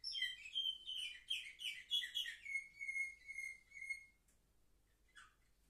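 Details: Seven-month-old young canaries recorded 10 November 2023 sing a quick burst of chirps and rolling trills. A long level whistled tone follows, then near silence with one brief late chirp.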